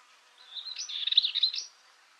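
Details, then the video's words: A Dartford warbler (Curruca undata) sings a brief, scratchy, chattering song phrase of about a second, high-pitched and rattling, with a few sharper notes near the end. "Curruca rabilarga (Curruca undata) Canto"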